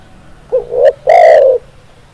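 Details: One spotted dove (tekukur) phrase: a rising quavering lead-in note, a faint click, then a long mellow coo that slowly falls in pitch.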